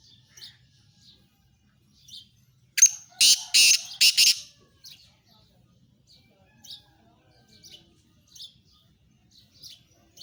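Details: Black francolin, known locally as kala tetar. It gives a loud, harsh, grating call of three rasping notes packed into about a second and a half. Faint, high chirps from small birds are scattered before and after.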